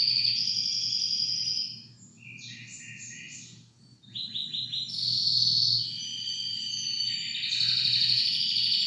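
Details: Canary song with a bright held roll, a pulsed lower section, a quick set of repeated descending notes, then long piercing trills at high pitch.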